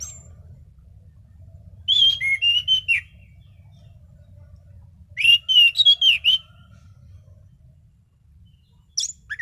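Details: Caged orange-headed thrush in full song: short clusters of clear whistled notes with sharp slurs, delivered in bursts about every three seconds over a faint low hum.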